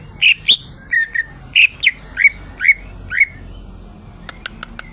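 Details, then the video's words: Greater green leafbird under lolohan grooming giving loud, rich whistled notes in pairs, steady and slightly falling, then a few faint high ticks at the close. "BURUNG CUCAK IJO !!! Gacor Rawatan Lolohan"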